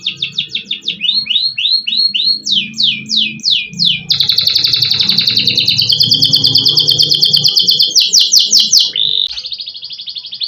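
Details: Nonstop song from a caged adult canary of F2 contest class, phone recorded: rapid chips, rising and falling swoops, a long fast rattling trill and a closing buzz, with low room noise beneath.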